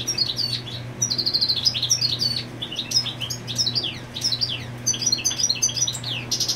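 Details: European goldfinch defending territory near the nest with the female: a long, nearly continuous stream of rapid tinkling twitters, buzzy trills and sharp chips, loud and varied, a low steady hum underneath.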